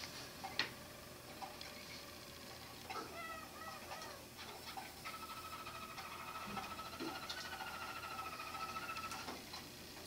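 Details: Roller canary, first team competing at the December 17 WRCA & NRCC roller canary song competition, sings soft, low rolling trills and a long, even sustained roll, quietly heard in a small indoor room.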